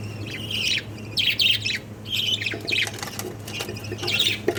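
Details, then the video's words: Jumbo (king) budgerigar chicks giving harsh, raspy squawks in short bursts about every half second to second, several overlapping, over a steady low electrical hum indoors. "Jumbo Budgies Chicks | King Budgies Baby"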